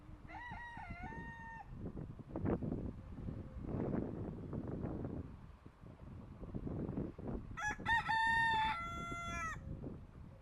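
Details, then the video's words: Rooster crowing twice, a wavering harmonic cock-a-doodle-doo near the start and a longer, higher second crow near the end, with rustling and thumping background noise between the calls. "cock making noise"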